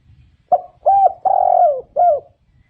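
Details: One complete spotted dove phrase: a clipped first coo, a fuller second note, a long mellow coo that drops in pitch at its end, and a short last note, all delivered within about two seconds. A soft low rumble sits underneath.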